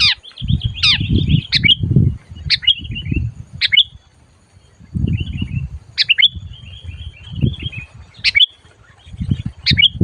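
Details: Sooty-headed bulbul answering a trapping lure with vigorous calls. Abrupt sharp chirps are repeated every second or two and linked by thin twittering trills. Heavy low thumps come in bursts.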